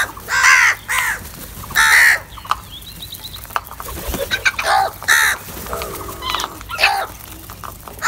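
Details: Several crows caw noisily while competing for cheese. Rough, nasal calls come in quick bursts, some overlapping, with softer croaks and caws in the gaps.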